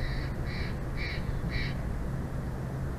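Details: Bald eagle at a nest in Big Bear Valley, recorded by a live nature cam on 06/10/2024 at 14:45, giving four short, high, harmonic notes about half a second apart over a steady low rumble.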